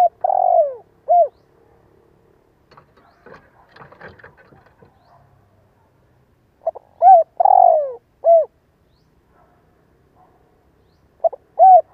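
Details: Spotted dove used as a lure caller to make other doves answer. A coo phrase ends, a burst of rustling handling noise follows, then a full phrase with a long falling note, and a new phrase begins at the end.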